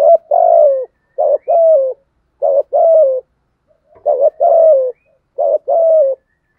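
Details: Spotted dove coo in the thổ sấm voice style, used to stimulate newly caught doves to coo in the rainy, windy season: five two-part phrases, a short rising note then a longer wavering, falling coo, quiet background.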